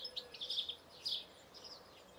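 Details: Short burst of European goldfinch song, bright, liquid twitters and chirps tumbling rapidly together, then a brief gap before a few more high notes.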